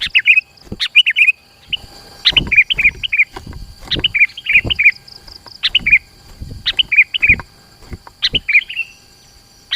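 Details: Sooty-headed bulbul, known locally as kutilang, giving a tight lure song to bring rivals near; clusters of quick warbled notes in bursts every second or so, with soft low thumps and a steady high hum beneath.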